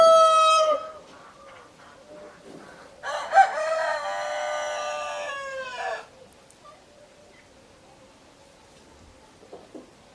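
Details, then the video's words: Roosters crowing: the tail of one crow opens the recording, then a long, strained crow of about three seconds with rich harmonics, followed by quiet background. "Chicken sounds, Roosters crowing sound effects"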